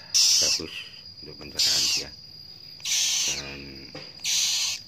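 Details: Recently hatched cockatoo chick during hand-feeding: loud harsh rasping bursts about half a second long, repeated roughly every second and a half, with soft human speech in the pauses.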